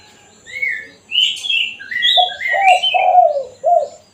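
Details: Spotted dove in kuk satu style, a lure call for wild doves: other birds whistle and chirp first, then the dove gives one phrase of four low, slightly falling coos.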